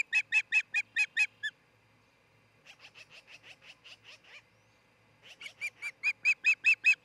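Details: An osprey at a nest near Charlo, Montana, filmed 26 June 2018 around 05:53–06:53, where a pair built a new nest and mated, gives loud, clipped whistled chirps in rapid runs of about seven, a softer, quicker series between, then a loud run again.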